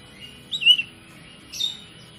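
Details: Kacer, the Oriental magpie-robin, singing as a lure to trigger rival kacer to sing. Two brief high whistled phrases about a second apart, the first a clear slurred whistle, the second fainter and chirpier.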